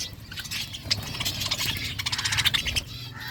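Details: Budgerigars in a flock while feeding, producing dense, overlapping warbled chirps and quick twittering notes that build to a lively burst in the middle, over a low background hum.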